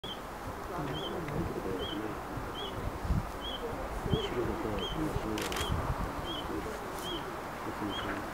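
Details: A red-breasted flycatcher at the Sankamata pond biotope gives short, high, clipped call notes about once a second, over a steady low rumble of wind and distant murmuring voices.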